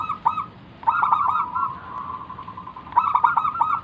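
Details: Zebra dove of local stock in full song, recorded as bait to prompt other doves to answer; loud clipped stuttering coos at start and end frame a long, softer rolling trill, with faint background hiss.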